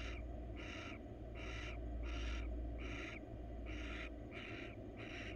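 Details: A female barn owl, wild and filmed in a monitored nest box while crawling for attention, repeats rasping hissed screeches roughly every 0.7 seconds, eight bursts over a low steady hum.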